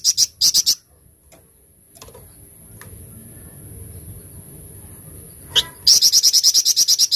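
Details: Flamboyan singing in the 'tembakan cadas' style: two short bursts of rapid, sharp, high notes at the start, a quiet stretch with faint low rumble, then a longer fast machine-gun run of about a dozen identical piercing notes.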